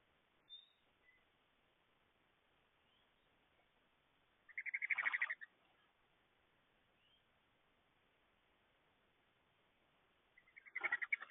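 A Red-bellied woodpecker gives two rolling, burry churrs about six seconds apart, each lasting around a second, against a quiet background.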